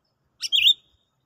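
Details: Sooty-headed bulbul lure sound from a bird-trapping trial: one brief bubbly, warbling phrase, a short burst then a richer rolling note lasting under half a second, with no other sounds.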